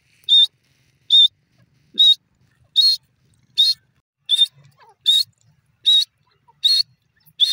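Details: Grey francolin (dasi teetar) calling: a loud, shrill, high note with a short upward inflection, repeated steadily about every 0.8 seconds for ten notes, with a quiet background.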